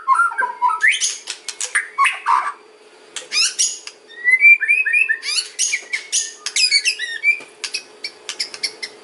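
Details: White-rumped shama in kretekan and ocean style, luring other shamas: choppy crackling notes and sharp clicks, then a run of fluty whistled warbles, then more rapid harsh bursts.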